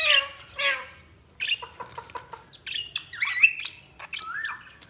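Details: Budgerigars giving clear squawky calls, a short series of soft clicking notes and several slurred whistled chirps.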